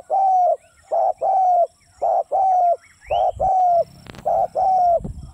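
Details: Spotted dove cooing: low, hollow coo notes repeated in quick pairs and triplets, about eight notes in five seconds, each steady then slightly falling, with a brief sharp click and faint background rumble late on.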